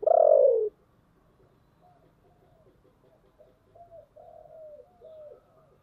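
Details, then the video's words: Spotted dove decoy bird, its thick 'thổ' voice style used to lure wild doves, gives soft low coos in short phrases after one loud opening burst, quiet gaps between. "cu gáy giọng thổ đặc/ tieng cu gay kich boi nhanh noi"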